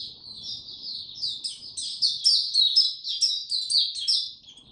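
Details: Oriental white-eye in a cage, singing buka tiong aw on 25 January 2022 after sleeping late: high warbling twitter that grows louder and more rapid, with sharp chips on top, light low hum beneath.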